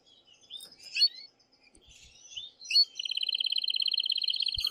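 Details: Male canary singing to encourage the female to mate: scattered sharp chirps and twitters, then a loud, even, very fast rolled trill sustained to the end.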